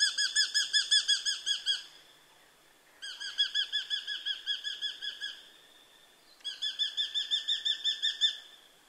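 Eurasian hobby giving three bursts of rapid, sharp, high 'kew-kew-kew' notes, eight to ten per burst, with brief pauses between. Nothing else is heard.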